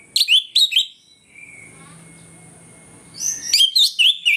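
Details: Orange-headed thrush singing ngeplong style in the morning as a lure to provoke rivals: two sharp whistled notes, a pause with a faint low hum, then a rapid string of five loud whistled notes.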